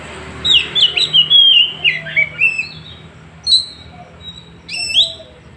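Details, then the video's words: Oriental magpie-robin recorded on an Android phone in Woncoyo village, Trenggalek, singing a sought-after challenge song: a rapid run of loud whistled, slurred notes in the first two seconds, then two short bright whistles a second apart. "Tembakan kacer paling di cari sekali bunyi langsung bongkar"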